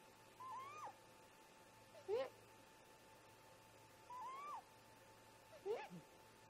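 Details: Two great grey owl parents calling at a snag nest around 04:25 in the early morning: a sliding, wailing note answered by a short rising whoop, the exchange repeated twice over a steady electrical hum.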